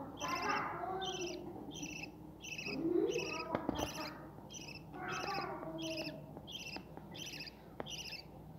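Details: At a breeding setup with chicks, budgerigars repeat short high chirps at a steady pace, while lower chattering and scattered clicks and knocks sound beneath them.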